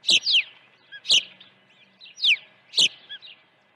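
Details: Early feeding at an osprey nest on a ranch, 1 June 2019, morning: four bursts of sharp whistled chirps, each slurring steeply downward, with a faint low hum between them.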